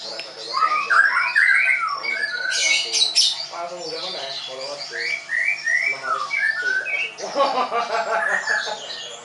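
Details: Leuser-type White-rumped shama held at a training school in Tangerang, Indonesia, pours out a dense jumble of chattering notes, harsh bursts and short whistles, with a low rough background sound.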